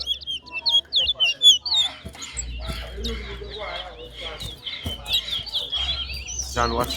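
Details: Chestnut-bellied seed finch at a bird singing competition sings rapid, high whistled phrases that break into a scratchy twittering warble, with men talking in the background.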